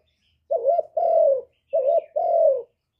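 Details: Spotted dove, a kept bird recorded directly without background noise, played to stimulate other doves; two paired coos, each a short wavering note then a longer sustained falling coo, about 1.2 seconds apart, low and hollow.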